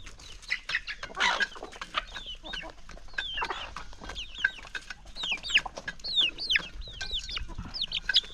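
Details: Chickens at a calm countryside morning feeding, a hungry flock gathering excitedly to peck; scattered short clucks and higher chirping calls, with bursts of louder squawking around the second and third-to-fourth seconds.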